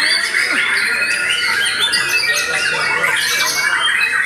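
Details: Post-moult white-rumped shama in full voice, pouring out continuous overlapping whistled phrases and chattering trills with barely a pause, mostly mid to high pitched.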